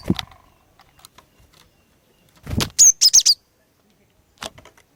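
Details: Female cinereous tit singing to draw males into song: one quick phrase of four piercing high chirps, preceded by a muffled thud and followed by a soft tap.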